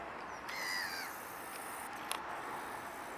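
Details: Black-headed gull (Chroicocephalus ridibundus), 16 June 2013, near 52.018N 4.301E in the Netherlands, gives a single nasal, slightly falling cry lasting about half a second, over steady background hiss with a brief click afterward.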